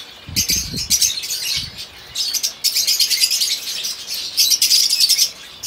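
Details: A male crested yellowbeak fawn pied zebra finch sings a harsh, buzzy song of rapid, nasal bursts strung together.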